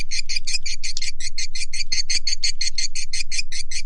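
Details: Lure call to attract swiftlets: a rapid, even series of bright chirps, about three or four each second, with no pause between them.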